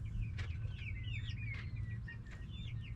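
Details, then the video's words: Backyard flock of hens and roosters; bright wavering high chirps and a few longer level notes overlap continuously, with soft clicks and a steady low rumble beneath. "Back yard chickens making noise🐓 Relaxing sounds of hens and roosters"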